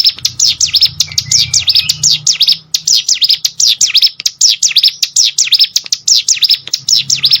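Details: Song of a hill prinia for competition-bird training: steady runs of bright downward-then-upward swept notes, a brief gap midway, one low slurred whistle early, and a soft low hum.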